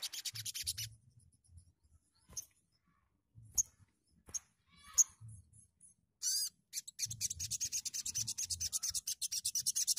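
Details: Sogon bird vocalizing: scattered sharp high ticks and short bright notes, a brief harsh burst, then a long fast series of rasping, buzzy chatter pulses.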